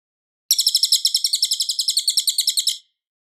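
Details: Cililin recorded clearly and loudly as a training master for white-rumped shamas: after a short silence comes one rapid trill of roughly twenty sharp, high chirps over two seconds, then quiet.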